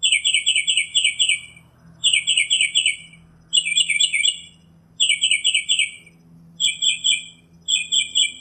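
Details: Wild Northern mockingbird (Mimus polyglottos) delivering bursty song: trains of four or five fast repeated high notes, then a pause, each new phrase varying the note shape.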